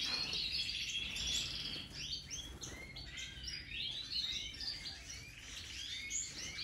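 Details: Major goldfinches, new birds in 2023; quick liquid twitters and rising-falling chirps tumble over one another in a lively, unbroken chorus with faint background noise.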